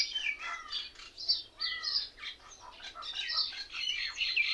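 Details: Many mynas in one tree, described as mimicking other birds and sounding like laughter: busy overlapping chatter of chirps, squeaks and curved whistled notes from several birds, rising and falling in loudness throughout.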